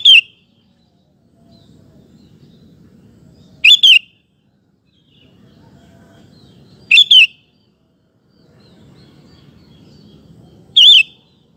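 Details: Lure recording of a Sooty-headed bulbul meant to set male birds singing: short two-note whistled phrases repeated about every three and a half seconds, with a soft low hum between them.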